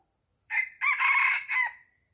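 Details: Crowing chicken at a chicken farm: three-part call with a brief rising start, a long harsh held note, and a quick falling finish, heard clearly against a nearly silent backdrop.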